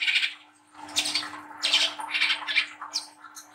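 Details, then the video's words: Young spotted Brown-throated sunbird, harsh song used to prompt young birds to sing: dense raspy bursts and high squeaky notes after a brief pause, with a faint low rumble. "PANCINGAN KOLIBRI KELAPA WICEH MUDA TROTOL GACOR NGRIWIK NGLAGU"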